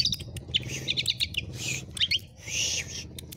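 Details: Javan pied starling song with added varied notes, used as a model for training other birds: short bursts of chirps, harsh buzzy phrases and quick whistles in the high range, separated by brief pauses, over a low background hum.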